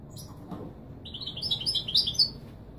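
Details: European goldfinch singing in the authentic Marrakchi Widani style, used to teach young birds to sing; a short burst of rapid, high twittering notes rises in the second half after faint low clicks.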